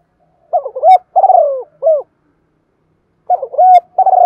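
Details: Spotted dove calling in the Thổ voice, a lure for decoy birds. One complete husky three-part phrase with a stuttered start, a rolling middle coo and a short end note, then a pause and the next phrase beginning.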